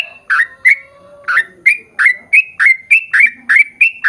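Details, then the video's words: Sooty-headed bulbul in energetic song of the long 'ropel' style, used as a lure to get birds of its kind to answer: a bright, slightly harsh note repeated about three times a second, each with a quick rise and fall. "KICAU SUARA trucukan gacor ROPEL PANJANG"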